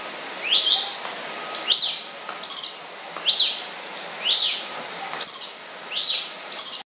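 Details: A yellow-breasted lorikeet fighting a vacuum cleaner gives harsh, hissing screeches, each rising then falling, repeated about once a second over the vacuum's steady hum.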